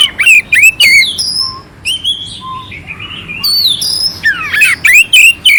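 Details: Oriental magpie-robin singing clearly with rough 'isian kasar' notes, used as a master to excite a cold magpie-robin. Sharp looping whistles and chips, a quieter buzzy stretch in the middle, then loud rising and falling slurs.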